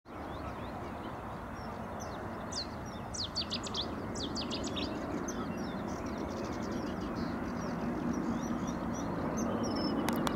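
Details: A Common kingfisher at Munnikenpolder, the Netherlands (dated 240518), gives a quick burst of thin, high, piercing whistles, faint against a steady roar of wind or rushing water.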